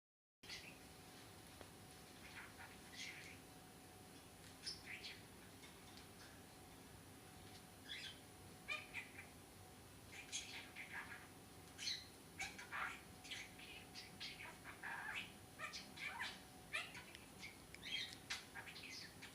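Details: A male budgerigar, a pet still learning new words, chatters in quick, scratchy bursts of high warbling notes, mimicking speech.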